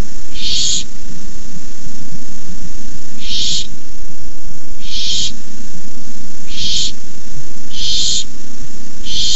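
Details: Hissing barn owl owlets at the nest during a nighttime rabbit delivery, 18 May 2015: six rough, breathy hisses spaced about every one and a half seconds, with continuous low hum behind.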